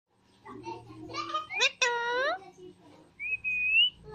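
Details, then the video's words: Two green Alexandrine parakeets kept as pets, talking: a run of chattering, speech-like syllables with sliding tones, then a clear rising whistle at the end, indoors. "Green Alexandrine Talking Parrots"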